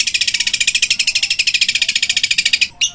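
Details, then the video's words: Long-tailed shrike in a tutoring recording meant for young birds, giving a fast 'tembakan' roll: harsh, buzzy high notes repeated about ten per second for over two seconds, then a brief pause and one more burst. "Cendet Full Tembakan Kuntilanak | Tengkek Buto | Gereja Tarung"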